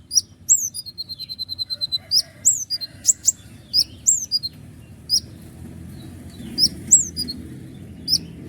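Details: Long roll with sharp accents from a common iora, konin gacor: a steady string of about a dozen evenly spaced high notes, then falling slurred whistles and sharp strokes, fading later against a low rumbling background.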